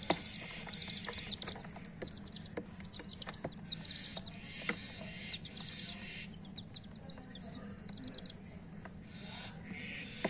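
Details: Coloured hen chicks chirping in quick bursts of high, trilled peeps, several series over about ten seconds, with a steady low engine-like hum throughout and occasional clicks.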